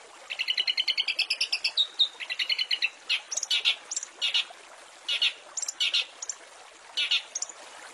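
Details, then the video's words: For training caged songbirds, long-tailed shrike master song with rich fill-ins: a fast, rising, chattering trill lasting nearly two seconds, a shorter trill, then scattered scratchy high chirps spaced through the rest. "Masteran Cendet full isian mewah"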